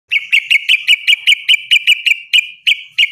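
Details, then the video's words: Yellow-vented bulbul singing vigorously: a steady run of short, bright, evenly pitched notes, about fifteen in three seconds, each a clipped chip of the same tone, with no other sounds. "SUARA TERUCUKAN GACOR MENANGIS LAWAN"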